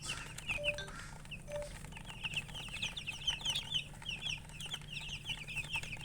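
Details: High, quick peeping from chickens with a hen, described as colour chickens; a few low soft tones early on, then clustered bursts of sharp chirps from several birds, pausing briefly between runs.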